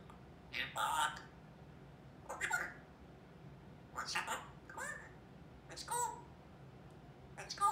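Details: Female African grey parrot, 21 months old, kept indoors, chattering as her vocabulary builds. Soft, speech-like syllables come in short separate bursts about once a second, with quiet room hum between them.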